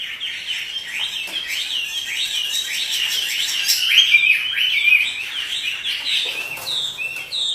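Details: Caged Chinese hwamei in full energetic song while dancing: quick, repeated whistled notes rising and falling, about three or four per second, with some scratchy higher notes mixed in.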